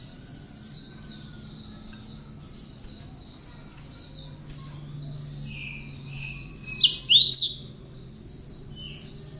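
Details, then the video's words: Cinereous tit (wingko) singing with bar-winged prinia notes worked in, meant as training material for other songbirds: rapid, high chittering trills run continuously, with a louder burst of sharp notes near the end and lower whistled notes. "Kicau Burung gelatik batu (Wingko) isian ciblek cocok buat bahan masteran"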